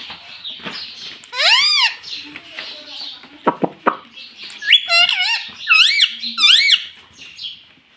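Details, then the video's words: Domestic rose-ringed parakeet talking, said to repeat "mummy papa": one loud arching syllable, a few dull knocks, then a quick run of high wavering speech-like notes. "mummy papa bolne wala tota"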